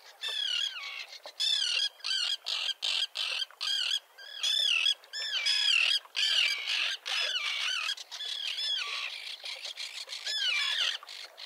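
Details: Common terns at a colony with chicks on concrete by a sea mole, Liepāja, Latvia, June 2024, recorded with a Nikon Coolpix P1000. Strident, grating calls come in short separate bursts, one after another, with brief gaps.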